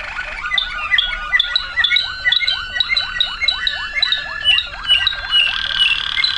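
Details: Song of a waterslager canary: rapid repeated dipping, gurgling notes like bubbling water, delivered in a fast regular run, ending in a brighter sustained trill.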